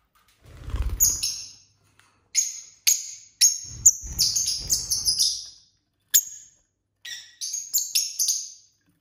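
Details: Several pet lovebird couples chirping at dinner time: bursts of shrill, high, clipped chirps in irregular clusters, some rapid runs of three or four notes, with low knocking and rustling of feeding at the start and middle.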